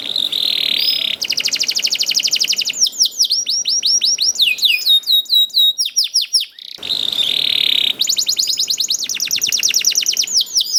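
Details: Young canary singing to prompt other canaries into song, a varied rolling phrase: rapid buzzy trills, runs of quick rising whistled notes, short pauses, then another fast trill.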